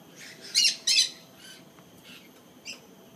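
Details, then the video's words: Golden conures at Jurong Bird Park give harsh, raspy squawks, two loud ones close together, then a few fainter screeches over about three seconds. "Golden Conures"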